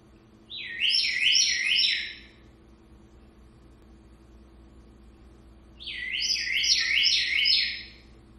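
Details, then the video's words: Talking African Congo grey parrot mimics the house door alarm that sounds when someone comes in or goes out: two electronic-sounding bursts of four quick, high, warbling chime notes, about four seconds apart, over a quiet background. "Talking Parrot Sammy copied RING DOOR ALARM"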